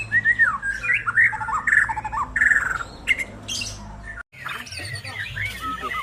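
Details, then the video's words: Lure song of a white-rumped shama, played to get a non-singing shama going again: a continuous run of varied whistled and warbled phrases, some sliding, some chattering, with a brief silent break before more whistles. "Pancingan Burung Murai Batu Macet"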